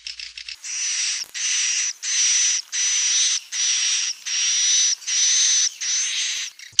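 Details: Swiftlet lure calls, meant to attract swiftlets to a crowded swiftlet house: harsh, buzzy, high-pitched chattering bursts, each about half a second, repeated almost without pause, with a thin whistled overtone.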